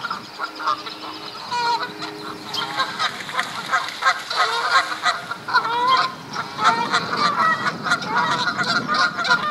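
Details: Canada geese at Duke Farms, New Jersey, in April 2015, squabbling over females in mating season: a quieter start swelling into a chorus of harsh, overlapping honks from many birds.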